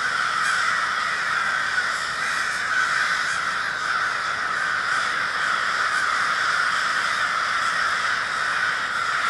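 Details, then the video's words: A large group of crows (a murder) in Minneapolis, Minnesota, on February 20, 2020, forms a dense, unbroken wall of overlapping harsh caws that holds steady for the whole stretch. "A Murder of Crows"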